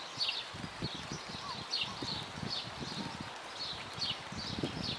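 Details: California quail in Wanganui, New Zealand, giving soft, high chips and short twittering notes, repeated every half second or so, over low thumps and rustling.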